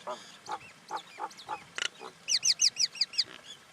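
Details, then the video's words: Common myna producing low gurgles and a harsh rasp, followed by a quick series of six or seven bright looping whistled notes. "Common Indian Myna sound"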